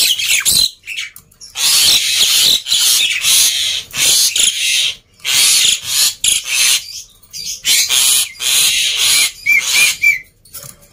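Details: Loud black-winged myna song for prompting quiet birds: long broad harsh screeching phrases separated by brief pauses, with a few short clear whistled notes near the end.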